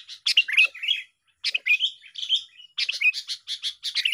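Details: Lure recording of sooty-headed bulbuls duelling in song: loud, slurred whistles mixed with rapid chattering notes in three close bursts.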